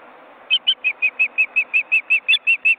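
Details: Osprey nest with large chicks in an Estonian forest reserve, recorded by live webcam. A loud, clear series of about thirteen short whistled notes, evenly spaced around six per second, over soft background hiss.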